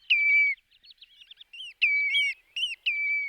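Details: Whimbrel on annual passage through West Lancashire, UK; long slightly falling whistles alternate with short broken notes and a brief trill, clear and close.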